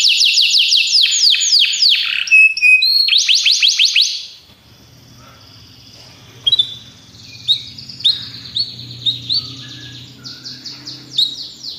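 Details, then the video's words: Belgian canaries singing: fast runs of high, descending trilled notes repeated rapidly for the first four seconds, then quieter scattered whistles and chirps over a low hum. "Os canários belgas cantam espetacularmente"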